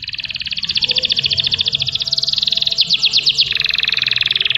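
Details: Canary master recording intended to provoke singing: a continuous high, rapid trill rolling on for several seconds, with a brief sharper pulsed section midway and low background hum.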